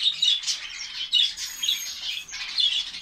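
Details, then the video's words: A captive colony of finches in Saudi Arabia, many birds calling together: dense high chirping and twittering in repeated bursts about once a second. "fince birds colony ফিঞ্চ পাখির কলোনি সৌদি আরব"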